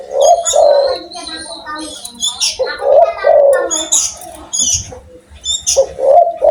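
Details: Spotted dove calling loudly and persistently: hoarse, wavering coo phrases repeated roughly every two to three seconds, mixed with high sharp chirps from small birds nearby.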